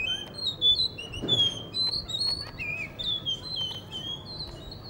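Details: Blue whistling thrush perched in front of a guesthouse under construction near a cafe in Hunza, singing steady whistled phrases that slide up and down, with occasional sharp clicks in the background.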